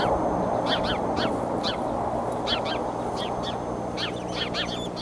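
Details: Eagles at a nest in Decorah on 30 March 2015, where two eaglets were startled by their mother's outburst; quick chirping notes in short clusters, about three per second, over steady low rumbling background noise.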